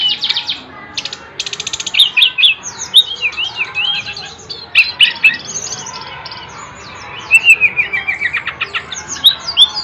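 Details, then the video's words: Energetic bird song of high, tumbling whistled phrases mixed with rapid stuttering chips, wavering trills and harsh buzzy notes, delivered almost without pause, loudest in bursts near the start and again toward the end. "SRDC GACOR"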